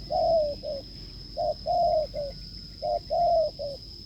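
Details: Strong cooing from a wild spotted dove during a decoy session. Three phrases, each a hollow low coo, a longer drawn-out falling coo and a brief final note, spaced about a second and a half apart. A constant high-pitched whine lies behind.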